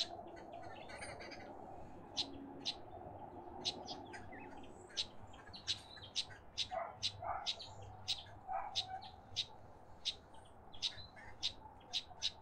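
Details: A Karoo thrush at a bird bath and drinking spot in a suburban garden in Pretoria, South Africa, gives sharp, dry chipping notes, roughly two a second, with a few lower husky notes midway, over a steady low hum.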